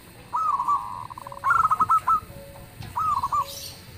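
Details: Zebra dove of a local strain, singing eagerly and loudly enough to provoke answers: a short coo, then a rapid stuttering run of rolling notes, then another short coo, each phrase bubbly and mid-pitched.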